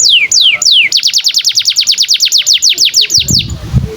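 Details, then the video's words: Canary song used to tutor young canaries: a few long sweeping downslurred whistles, then a fast regular series of falling notes, about six per second, ending with a soft rustling noise. "SUARA BURUNG Kenari GACOR PANJANG INI Cocok untuk Masteran KENARI PAUD dan Kenari Macet BUNYI"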